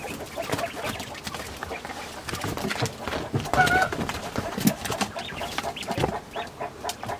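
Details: A hen clucks in the background on a quail farm in midwinter, a short, nasal, mid-pitched call among steady clicking and rustling; the quails fall silent and listen when the chicken starts.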